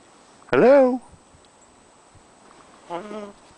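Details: Flightless, unreleasable common raven kept as an educational bird at a raptor rehabilitation center, imitating phrases it has picked up from people. A loud, harmonic, rising-then-falling 'hello'-like utterance is followed about two seconds later by a softer, shorter repeat.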